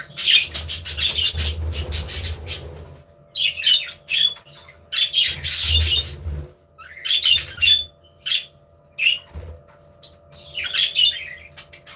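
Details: Budgies in an aviary warbling and squawking in repeated bursts, with whistled notes among harsh chirps, pauses between bouts and a low hum throughout.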